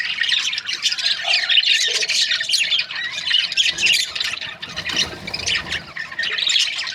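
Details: Continuous budgerigar chatter from breeding pairs: raspy squawks and quick twittering notes blending into a dense, unbroken high wash.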